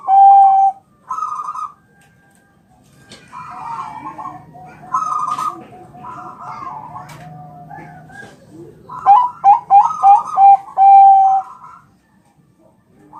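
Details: Bangkok zebra dove champion training song meant to prompt replies: bursts of rapid, trilled coos alternating with lower steady tones, then a fast staccato run of clipped notes toward the end.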